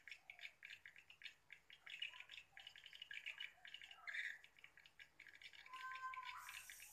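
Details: Swiftlet calls on a late October 2021 afternoon, responding: pulsing bursts of chirps rising and falling in loudness, one louder note near the middle, and a rushing noise at the end.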